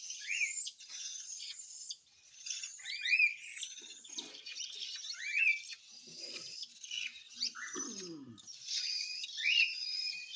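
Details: Hand-fed cockatiel making a steady wheezy, rasping begging noise broken by sharp rising chirps every couple of seconds, with occasional low scraping and handling sounds during feeding.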